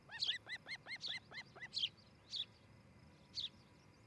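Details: Osprey pair's nest in Charlo, Montana, July morning nest-camera audio: a fast string of arched, slurred notes with high chirps above, then a few spaced single high whistles.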